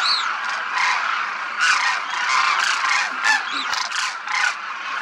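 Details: Demoiselle cranes in a large group flying in formation over Rajasthan, India; a steady mass of rolling, honking calls with several louder bursts standing out from the flock's chorus.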